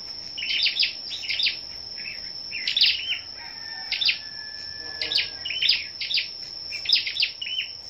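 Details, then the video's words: Morning song contest among gathered Scarlet-backed flowerpeckers on 10 May: repeated crisp, very high chips and brief twittering phrases, about one burst per second, set against a continuous shrill steady tone. "Sâu Đầu Đỏ Hổ Tập Hợp Giao Lưu Những Chú Chim Sâu Đầu Đỏ Siêng Hót Đấu"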